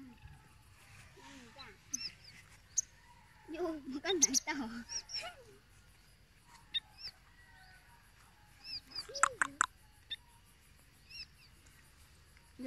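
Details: An unidentified bird, taken from a field after its nest was destroyed, gives scattered thin, high whistled chirps while a person speaks quietly nearby; the owner asks what species it is.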